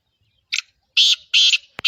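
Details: Black francolin (kala teetar) calling: a short harsh buzzy note followed by two longer grating, buzzy notes in quick succession, ending with a sharp click.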